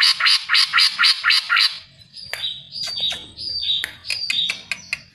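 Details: Greater green leafbird (cucak ijo) song for luring other birds into song: a series of loud harsh repeated notes, then clear short whistles mixed with sharp clicks and chips.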